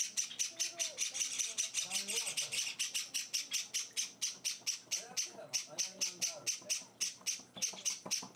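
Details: Java sparrow chicks, hand-raised and on their fourth day in a home, calling during feeding: a fast, steady run of harsh, high, buzzy chirps repeated several times a second, with soft low human voice underneath.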